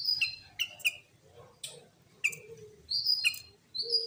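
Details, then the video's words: Sooty-headed bulbul singing loudly and clearly as a lure to set other bulbuls singing; quick bright chirps, some high and thin, others dropping to a steady whistle, in short bursts with brief pauses between. "Pancingan Burung Kutilang Gacor Full Tembakan"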